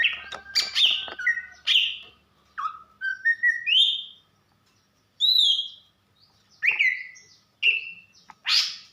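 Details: Female greater green leafbird, a kept songbird from Banyuwangi used to stir the male into singing, calling in loud whistled notes with sharp chirps and downslurred phrases, some rising, broken by short pauses.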